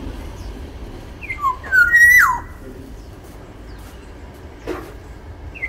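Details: Sumbawa Black-naped oriole, a big-bodied bird, whistling a liquid phrase of brief descending slurs into a level high note that drops steeply at the end, with a separate short rising note and a faint chirp afterwards.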